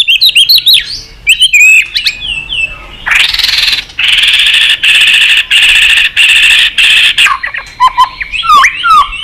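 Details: White-rumped shama worked up into excited, many-voiced singing: varied whistled slurs at the start and end, with a long stretch of harsh, buzzy pulses in between.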